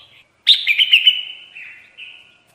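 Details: Red-whiskered bulbul call used to lure birds into traps: one loud, sharp chirp breaking into a rapid stuttering warble that fades into a softer, drawn-out slurred tail.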